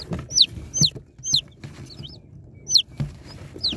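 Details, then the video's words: Baby chicks taken out of a box, with a few loud, clear peeps spaced out, each a quick high note falling in pitch, separated by brief pauses over low background handling noise. "Unboxing Cute Baby Chicks| Chicks Relaxing Sound Effects"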